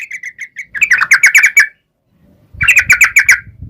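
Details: Yellow-vented bulbul in energetic ropel panjang singing, meant as a lure so other bulbuls answer. Soft quick notes lead into two loud bursts of bubbly chattering separated by a brief silence, with faint low rumble.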